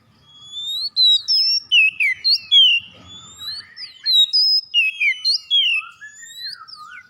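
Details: Oriental magpie-robin singing as a lure for other birds: a fast run of sweet, clear whistles, swooping slurs and short, flat notes, repeated in two phrases, ending in lower descending whistles.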